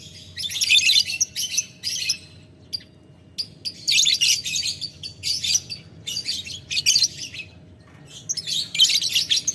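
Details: Lovebird in ngetik ngekek mode, calling to a rival: bursts of harsh, piercing chattering about a second long, alternating with short silences over the whole stretch.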